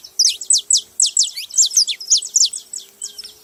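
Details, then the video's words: Saffron finches calling loudly: a fast run of bright, high chirped notes, each a quick downward slur, repeated about four times a second with little background sound. "Canarinhos fazendo barulho"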